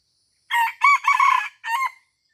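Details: At Taman Rusa in Aceh, Indonesia, a junglefowl lured by trappers gives one full crow: a rasping opening note, two drawn-out middle notes and a short, detached closing note, clean against a silent background.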